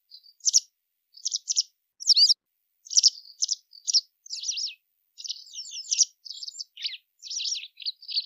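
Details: Lively twittering from a white wagtail: bright, high chirps in quick clusters, with busier scratchy phrases running almost without pause toward the end.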